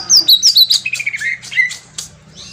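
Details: Green leafbird song played as a lure to make birds answer: loud sweeping whistles descending into a run of short falling notes, then quieter scattered chirps.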